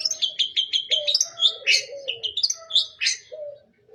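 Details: A long-tailed shrike gives a lively full-fill song: fast staccato chips, sharp buzzy notes and short whistles in quick succession, with low drawn-out cooing tones below.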